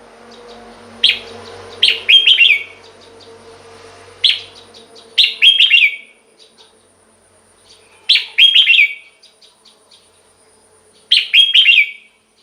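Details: Red-whiskered bulbul song for decoy use or to rouse caged birds: four crisp, cheerful warbled phrases repeated roughly every three seconds, each a rapid cluster of rising and falling whistles, with faint background hum at the start.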